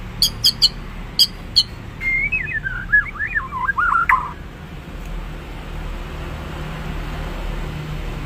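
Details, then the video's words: A few sharp clicks open the recording, then a bird delivers a brief whistled, warbling phrase that wavers up and down before fading into quiet background hiss. "Bird Chirps | Stress Relief | Relaxing Birds Sounds"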